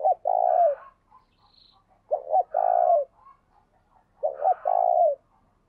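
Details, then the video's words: Trained decoy spotted dove cooing energetically in 'gáy sung' fashion, kích bổi training. Three even phrases, each a short two-part stutter followed by a held low coo, spaced about two seconds apart, with faint hoarse chatter between. "Chim Cu Mồi Gáy Sung"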